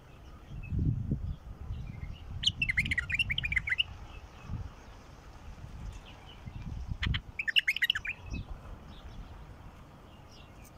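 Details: Singing adult mukhallaf bulbul, used to encourage silent bulbuls: two rapid, fluty warbled phrases about five seconds apart, each of many quick notes, over heavy low rumbling and knocking sounds.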